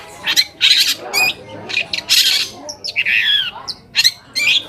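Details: Long-tailed shrike song used as a lure to make other shrikes answer and sing: harsh, scratchy broadband bursts alternating with short whistled, down-slurred notes, loud and uneven in rhythm.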